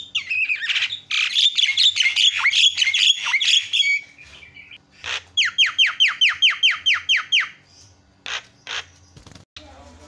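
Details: Javan myna lure recording, used to provoke other mynas into calling: dense harsh chattering bursts, then a run of about ten sharp descending whistled notes in quick succession, followed by a few scattered rasping notes.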